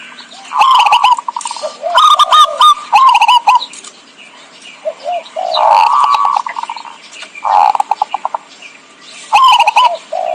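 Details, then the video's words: Zebra dove calling as a trapping lure: dense bursts of clattering staccato notes mixed with short falling and level coos, phrases overlapping and tumbling quickly, with a faint background hiss. "suara pikat burung perkutut"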